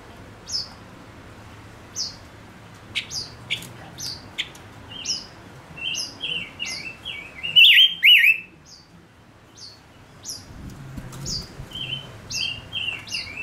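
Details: Male decoy bird repeats short high downslurred whistles roughly every half second, broken by a loud wavering flourish midway.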